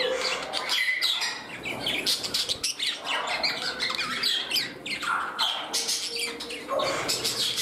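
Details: Pet parrots in a room at their new home, jostling for a place beside a companion; loud harsh broadband squawks follow one another almost without pause, with sharp downward-sweeping shrieks standing out.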